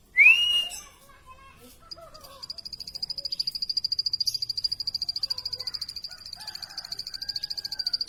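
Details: Plain prinia song opens after a loud upslurred whistle. A long train of high, sharp ticks follows at about three and a half per second, with distant bird calls behind.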